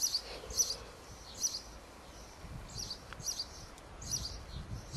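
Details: A sparrow sings a run of sharp, high-pitched chirps, grouped in short clusters about a second apart, against faint outdoor background noise and a brief click.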